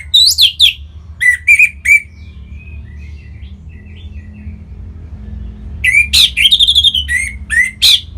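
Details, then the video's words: Song of an orange-headed thrush from Singaraja, Bali, used to set other birds singing: loud rising-and-falling whistled phrases in clusters, quiet thin trills between, then a long excited sequence of rich rapid notes. "Punglor Merah Lagi Berkicau.. Untuk Pancingan Bunyi"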